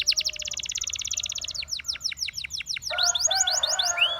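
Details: Russian singing canary, song intended to seduce other canaries: rapid even trill of repeated notes, changing to slower downward-swept whistles, then a buzzy phrase with rising chirps over it.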